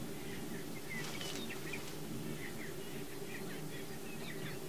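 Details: Several greater prairie chickens jousting and booming to attract the female: a steady low droning hum runs throughout, overlaid by scattered short higher chirps and cackles and a brief broadband rushing burst near the start.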